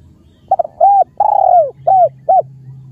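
A spotted dove gives a soft, low cooing phrase of about five notes: two quick short coos, then longer hollow, slightly falling ones, over a faint low hum.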